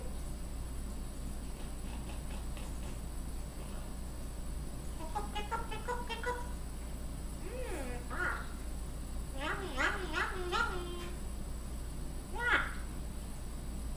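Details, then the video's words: Solomon Island eclectus parrot talking and singing indoors: soft muttering syllables, then several wavering, sliding speech-like phrases with rich harmonics, ending in a brief higher squawk, over steady low hum. "Eclectus parrot singing and talking"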